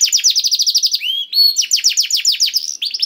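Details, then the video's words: Canary song for coaxing a canary into singing: a dense rapid trill of high chirps, a short pair of rising whistled notes, then another fast rolling trill. "PANCINGAN KENARI SUSAH BUNYI AUTO NYAUT GACOR TANPA HENTI || VOICE OF CANARY"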